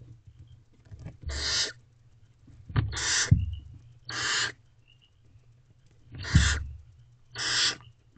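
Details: Barn owls at a nest box at night, the female feeding herself and her owlets, just after midnight on 23 April 2023. Five harsh, hissing screeches of under a second each, spaced irregularly, with thumps and scuffling inside the box.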